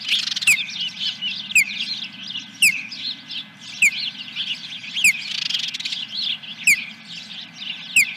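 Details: Osprey at its nest at Dunrovin Ranch on 10 July 2021, just after 9 a.m.: loud sharp down-slurred whistles about once a second, between them a constant wash of softer high chirping.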